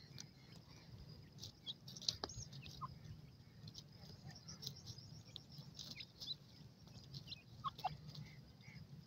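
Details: Francolin chicks playing in the jungle give thin, high peeps and short chirps, scattered irregularly, over a steady low rumble of background noise.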